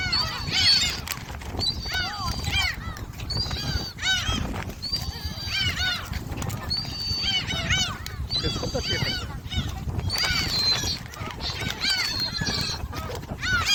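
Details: Gulls crowding at Jebudo while being fed keep up a continuous clamour of short arched yelps and longer flat squeals, bursts coming every second or so, with human voices and wind behind.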